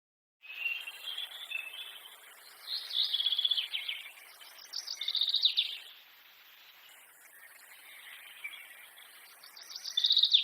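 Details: Several forest birds sing in bursts of high, twittering chirps that swell and fade every few seconds over a steady, thin insect-like hiss.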